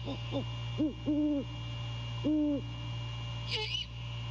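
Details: Courting great horned owls at a nest on a January night, the male calling to his mate: quick doubled hoots, then three long level deep hoots, ending in one grating high screech; mechanical hum throughout.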